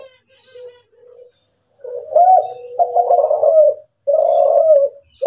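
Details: Kept Kelantan spotted dove singing: soft, short low notes at first, then loud, wavering coos in a rolling phrase and a long smooth coo.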